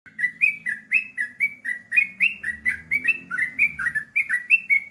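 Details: Yellow-vented bulbul (trucukan) singing in the rapid 'ropel' style: a fast run of short, clear whistled notes, each bending slightly up or down, repeated about three times per second. A faint low hum runs beneath.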